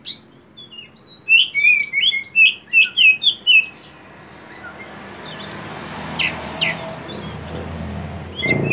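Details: Oriental magpie-robin (kacer poci) singing in the intense 'gacor konslet' style, kept as a lure to prompt untrained birds: a quick run of bright, clear whistled notes that sweep up and down, then hissing background noise.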